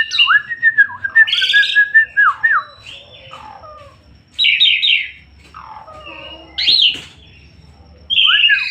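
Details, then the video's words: Energetic gacor song of an Asian pied starling: low swooping whistles repeated several times, broken by harsh buzzy bursts and high rising squeals, with pauses between phrases. "Burung Jalak Suren gacor"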